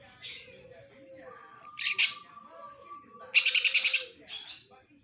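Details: Greater green leafbird imitating sparrow calls: brief chirp bursts build into a loud, rapid run of repeated high, buzzy notes near the end, while a steady faint whistle-like tone sounds in the background.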